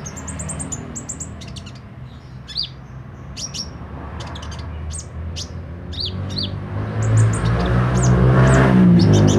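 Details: Sunbird called kolibri ninja singing actively: a rapid high twittering series, then sharp descending chirps spaced about a second apart, with low background rumble growing louder.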